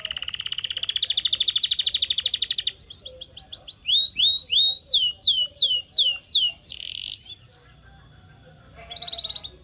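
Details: Canary song meant to train and stimulate other canaries to sing: a dense, fast buzzy trill for about three seconds, then rapid repeated downslurred notes and swooping whistled syllables in quick rolls, a brief pause, and a short closing trill.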